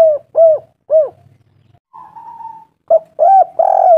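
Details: Spotted dove used as a lure to make doves call: a series of short, arched cooing notes in quick succession, then a steady flat whistled tone, followed by more cooing notes at the end.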